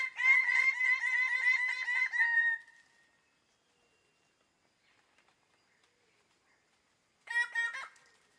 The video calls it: Greater Bird of Paradise